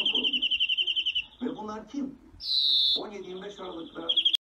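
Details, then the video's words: European greenfinch: a fast pulsed trill, then a drawn-out buzzy wheeze falling slightly in pitch, followed by a brief trill. A person's voice is heard between phrases. "Greenfinch Song"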